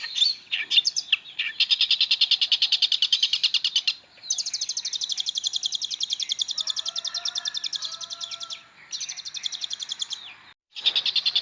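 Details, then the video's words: Long-tailed shrike in full song, valued for teaching magpie-robins: long sustained runs of rapid, evenly pulsed high chattering notes, with brief pauses and faint lower whistles underneath in the middle. "Pentet istimewa.... isian oke banget. pas buat masteran burung murai."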